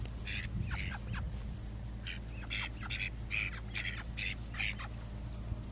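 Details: Call duck drakes, one mallard-looking male guarding a female from another drake; rapid raspy quacks in bursts, several per second, over a low steady hum.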